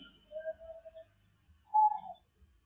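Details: Turtle dove in the morning, answering the cooing of other doves: soft, low hollow coos, a wavering phrase followed by a brighter rising coo, with faint low thumps in between.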